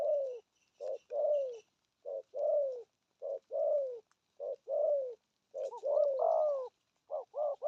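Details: Spotted dove, deep-voiced, cooing 'thúc gù': short-then-long paired coos repeat about every 1.2 seconds, then a louder rising-falling phrase and a quick triple coo close the run.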